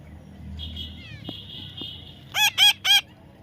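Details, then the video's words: Young parrot during taming: a thin, steady high squeal, then three loud, harsh screeches in a fast, evenly spaced burst. "natural funny parrot sound"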